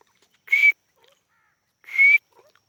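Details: Grey francolin, labelled a white francolin (teetar), giving two short, shrill, harsh whistled notes about a second and a half apart, with quiet pauses between.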